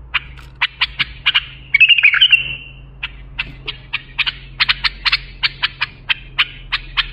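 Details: Bulbul song used to train young bulbuls: a string of short, sharp, clipped notes about every third of a second, broken near the middle by a brief rapid warbled phrase, over a steady low hum.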